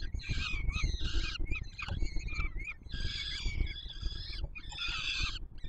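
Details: Nestling peregrine falcons at the Palace of Culture and Science in Warsaw, Poland, 7 July 2022, begging while the male delivers food; loud, continuous rasping wails in long overlapping bursts above low background rumble.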